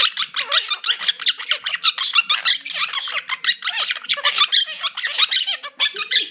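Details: A pair of caged Quaker parakeets, male and female, chattering: dense, rapid, high scratchy squeaks and chirps overlapping without pause, loud and continuous indoors.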